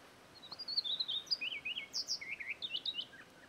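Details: Shy heathwren (Hylacola cauta) at Patchewollock Conservation Reserve sings a rapid, varied run of high, sweet notes: quick slurred whistles and trills tumbling up and down for about three seconds, with a faint background hiss.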